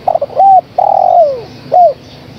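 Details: Full phrase from a female spotted dove calling to a male: quick stuttering notes, an arched hoot, a long sustained coo that falls away, then one short arched closing note.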